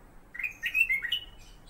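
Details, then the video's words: A sooty-headed bulbul, named as Pycnonotus melanicterus (kutilang emas) and kept as a song master for murai batu, gives one brief bubbly phrase of four or five slurred liquid whistles, rising then dropping, under a second, against a quiet background. "BURUNG "KUTILANG EMAS" KU BERBUNYI"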